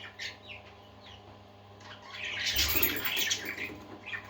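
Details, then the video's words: Pet parakeets indoors give a few scattered short chirps, then a burst of fluttering wing noise mixed with louder chattering calls in the second half, above a faint steady hum. "Happy Parakeets Singing"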